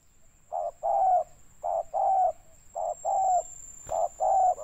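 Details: Cooing of a spotted dove, a recording used to lure and trap birds in Riau, Indonesia, 'banggo' voice: low hoarse phrases, each a short coo followed by a longer drawn one, repeated about every second, over a constant thin high whine.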